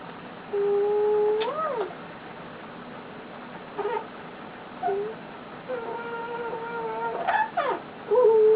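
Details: Pet male eclectus parrot lying on its owner and content makes flat whistled tones ending in upward bends, short soft notes, then a louder steady whistle at the close.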